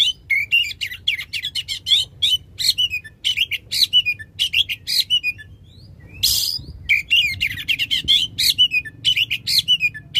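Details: Oriental magpie-robin delivering loud long shot phrases meant to prompt a quiet magpie-robin into song. Dense, rapid, high chirping and trilling runs throughout, interrupted once by a harsh rasp before resuming.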